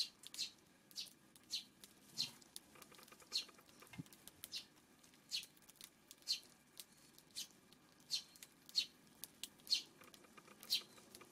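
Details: Eurasian tree sparrow recorded on the afternoon of June 5, repeating brief, bright chirps roughly once a second in a steady series, with a soft thump near the middle and low background hum.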